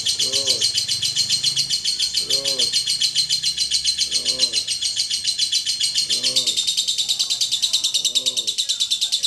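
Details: Prize-winning contest lovebird from Klaten, Indonesia, giving its long ngekek song: a continuous shrill, fast-pulsed chattering trill that shifts slightly in tone partway through, over soft human voices recurring about every two seconds.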